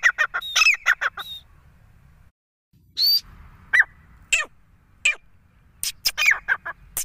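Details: Grey francolin (Ortygornis pondicerianus), call.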